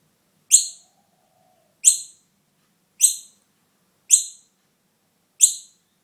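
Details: Young noisy miner fledgling separated from its mother and looked after at home; five loud, high, harsh chirps, evenly spaced about one and a quarter seconds apart, over near silence.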